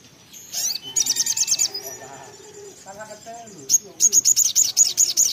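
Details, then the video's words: Little spiderhunter (sogok ontong or sogon) in full song: two bursts of rapid, high, piercing notes, repeated about twice a second, separated by a quieter stretch of softer twittering. "sogok ontong (sogon) gacor ngotor ngleper"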